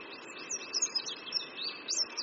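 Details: Soft, hurried high twitters from an Oriental white-eye on a creekside branch at Qingdao University, Qingdao, China, the thin notes rising and dipping quickly, partly blurred by a background hiss and a constant high tone.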